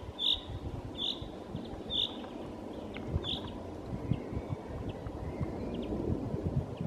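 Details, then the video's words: A common chaffinch gives four short, bright, high notes about a second apart over a steady low rumble of wind or distant traffic, with fainter chirps behind. "Finch Зяблик"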